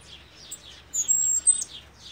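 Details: Cuban grassquit, tomeguín del pinar, in its 'triple silvado' song sung nonstop without scolding or whispered notes; a very high, thin, level whistle held about half a second, then a short high note, over soft twittering chirps.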